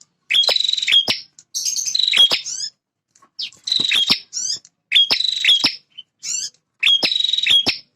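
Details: Male bar-winged prinia, a territorial fighter, singing very actively: loud buzzy chattering phrases, each with a bright whistled note, repeated about every second and a half with short pauses between bursts.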